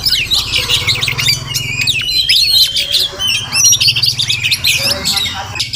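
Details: Oriental magpie-robin, a wild village bird that comes to a house each morning, pours out rapid rising and falling whistles mixed with harsh chirps, with a soft low droning hum beneath.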